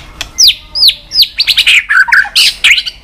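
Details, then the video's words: White-rumped shama, rousing 'tạch' song. High downslurred whistles open the phrase, followed by a rapid jumble of bright chirps and harsher squawky notes packed into a few seconds. "Chòe lửa tạch liên tục"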